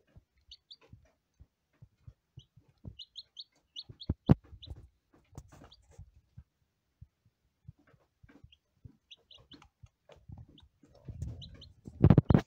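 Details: Scattered thin, high peeps from first-day lavender Ameraucana chicks, often in quick groups of two or three, amid regular pecking taps and later loud rustling and bumping.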